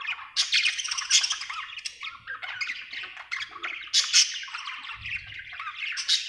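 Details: Happy budgerigar chirping: continuous busy warble of scratchy chatter, squawky notes and short whistles, dense and rapid with loud bursts near one and four seconds.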